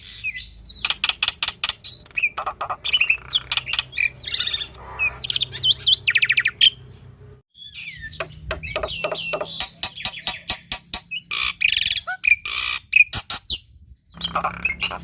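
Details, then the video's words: Black-winged starling in active full song, used as training audio for young and reluctant starlings: a dense run of harsh rasping bursts, sharp clicks and whistled notes, with a low steady hum in the background. "Jalak Putih Gacor Full Isian"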